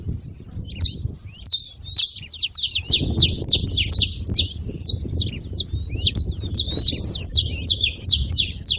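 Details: Saffron finch making noise at a feeding spot: a rapid, lively run of sharp, high chirps and short downslurred notes, tumbling and overlapping almost without pause, over a low background rumble.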